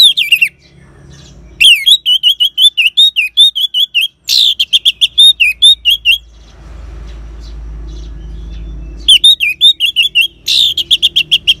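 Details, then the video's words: Ngeban song of a caged orange-headed thrush, played to coax other birds into song: long fast runs of loud, sharp, repeated notes in several bursts, with a quieter stretch of low background noise midway. "Suara Ngeban Untuk Pancingan ANIS MERAH Jitu Membuat Burung Gacor"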